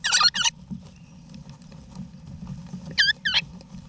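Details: In an Australian backyard nesting box in November 2018, wild eastern rosella parents and chicks give two quick, buzzy, stacked notes, a pause, then another double note, with soft rustling and low hum underneath.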